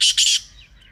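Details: Partridge call used to train partridges to call louder, two loud harsh grating notes in quick succession, the second longer, then fading into quiet.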